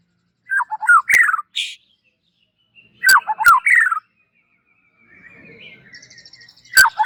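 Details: Kept white-rumped shama being readied for contest hanging, giving short warbled phrases of falling whistled notes separated by pauses, with sharp clicking taps and a faint thin high buzz between phrases.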